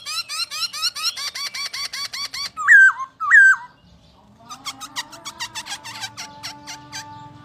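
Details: Masked laughingthrush (Poksay Hongkong) delivers a rapid even run of short hooked notes, two loud emphatic whistled slurs, then a softer stuttering series of clicks and chips over a faint steady tone.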